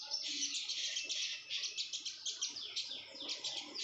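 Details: Female red-whiskered bulbul in breeding condition, very vocal: a fast, continuous twittering of high, sharp chirps delivered in rhythmic pulses of about three per second, with no other clear sounds.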